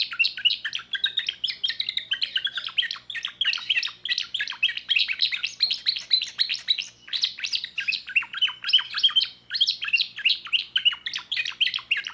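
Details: Young 2024 timbrado canary singing a new repertoire: a long unbroken stream of rapid, clicking, chirped notes, rolling trills and rattles, with only brief breaths between phrases.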